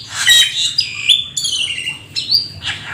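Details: Black-winged starling, called rare and exotic, in lively song full of imitations: rich chattering notes flowing into long clear whistles that slide downward, then a sudden rising whistle and a scratchy ending.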